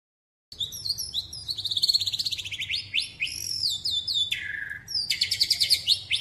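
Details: ["White-rumped shama of the Medan type delivering 'cililin' and 'besetan' song bursts: high, bright whistled phrases, fast stuttering note series and sliding notes, with a short drop to a lower whistle near the end."]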